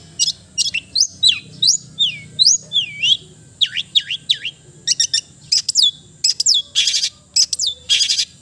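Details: Melodious long-tailed shrike (cendet) song of clear swooping whistles, rising and falling loops, mixed with sharp chirps and two dense harsh bursts near the end.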